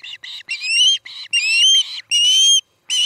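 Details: At a nest near Charlo, Montana, an osprey gives a quick series of shrill whistled yelps in the evening of 17 August, short notes alternating with longer rising, slurred whistles, about eight calls in three seconds.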